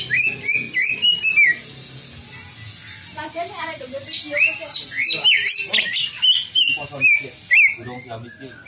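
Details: Greater green leafbird song used as a lure to draw out a bird's full repertoire: a lively run of clear, slurred whistles and quick chirps, rising and falling, over a faint murmur of voices and music.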